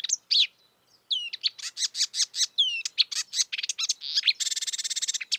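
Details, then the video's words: Singing wild marsh warbler: sharp whistles, downward-sliding notes and rapid chatter in quick succession, closing with a fast, even, buzzy trill. "kicauan merdu burung marsh warbler / kerak basi di alam bebas"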